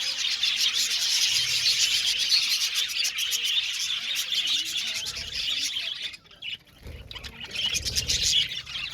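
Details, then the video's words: Budgie flock in an aviary giving a busy, rapid chatter of high chirps; the chorus dips briefly quieter about two-thirds of the way through, then swells back to full noisy twittering. "budgies chirping sound"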